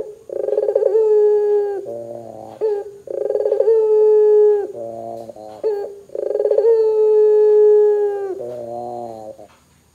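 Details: Barbary dove in loud gacor voice, calling to make other doves answer, repeating its call three times about every three seconds: rolling onset, a sustained smooth coo, then a short gruff lower ending.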